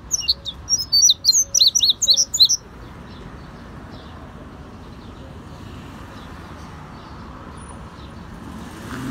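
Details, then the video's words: Indigo bunting, known in Cuba as azulejo, delivering a brisk burst of about ten sharp, high chirping notes in pairs over two and a half seconds, followed by quiet background hiss. "Azulejo cubano/ Indigo Bunting cantando"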